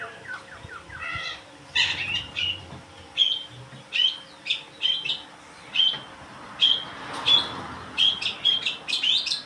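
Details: Long-tailed shrike opening with a few lower stuttering notes, then steady high, sharp whistled chirps repeated roughly every half second, sometimes doubled, over faint background noise.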